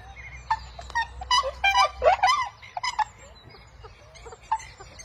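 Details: Inca terns in Peru give harsh, nasal squawks in quick, uneven bursts, some notes bending up and down, over a low steady rumble of surf or wind.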